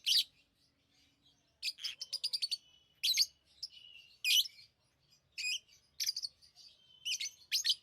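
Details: Lovebirds chirping: harsh high chirps mixed with a rapid stuttering series of clicks and short whistled squeaks, irregular bursts spread across the clip.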